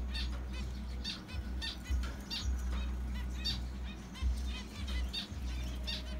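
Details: Pet zebra finches, two breeding pairs with eggs laid in their condo, give frequent short nasal honks in quick succession, some overlapping. A constant low hum and occasional wing flutters run underneath.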